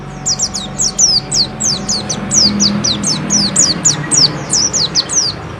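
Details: Bustomi white-eye singing steadily: a continuous chain of high, thin, downslurred whistles, about three per second, some with small hooks or doubled tops, over a murmuring low background.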